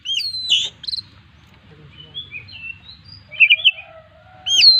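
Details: Kacer, the Oriental magpie-robin, singing a varied full-isian song: sharp rising and falling high whistles, a string of short slurred notes, then a lower drawn-out whistle before a bright upslurred note.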